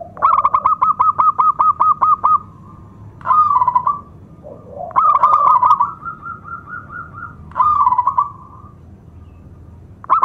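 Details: Local zebra dove with a loud, powerful voice and a prized rhythm, used as a lure to excite other doves and prompt silent ones to sing: a fast string of short pulsed coos, then a pause and several slurred trilled coo phrases.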